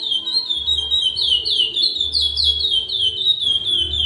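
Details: Chestnut-bellied seed finch (curió), a breeding male, whistling a rapid series of clear, downward-slurred notes at an even pace, roughly four per second, with a low droning hum behind.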